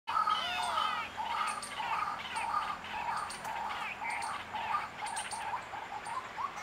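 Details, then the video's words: A white-breasted waterhen gives loud, harsh, nasal croaking notes, repeated rapidly in a steady chorus-like run, with faint high ticks in the background. "white breasted waterhen calling"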